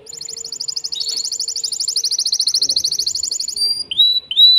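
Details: Caged male canary, worked up, singing to a female for mating; a long fast high trill of repeated notes, followed by looping whistled phrases, with a faint low hum behind.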